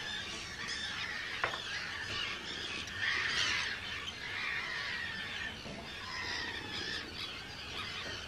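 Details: Arctic tern breeding colony on Rottumerplaat, Groningen, the Netherlands, on 4 June 2023, hundreds of birds; rapid, irregular harsh screeching calls overlap in a busy chorus, with a sharp click early on.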